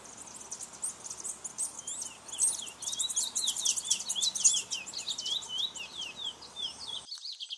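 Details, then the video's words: Chestnut-bellied seed finch (curió) singing: a dense, fast run of high slurred whistles and quick chirps, many notes each second, held for about seven seconds before stopping abruptly. "CURIÓ VERDADEIRO VOCALIZANDO"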